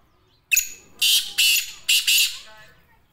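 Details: Black francolin, known locally as kala teetar, giving a loud, harsh, grating call: one short rasping note, then four broad scratchy bursts in two quick pairs over about two seconds, then a fading tail.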